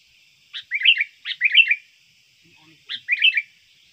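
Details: Trained sooty-headed bulbul giving its lure song for trapping birds: three lively, bubbling phrases of several quick slurred notes close together, with a faint steady hum behind.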